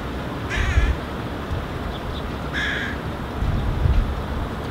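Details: Hooded crow fledgling interacting with its feeding parent on the ground: two drawn-out, wavering, whining calls a couple of seconds apart, with low thumping handling or footstep noises and steady background rumble.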